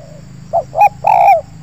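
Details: Wild spotted dove in an oil palm plantation, drawn in by trappers' decoy birds. It gives a three-part low cooing phrase: a short soft coo, a rising two-note coo, then a long drawn-out hooting coo. A faint hum runs underneath.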